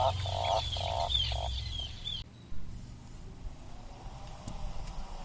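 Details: Atlantic puffin uttering a short run of pulsed, growling notes, four choppy bursts in about two seconds, followed by quieter background noise with faint clicks.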